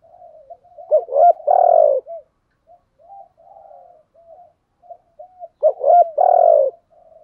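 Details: Spotted dove kept as a decoy for enticing wild doves, giving two full coo phrases about five seconds apart, soft low murmuring notes filling the gap between them.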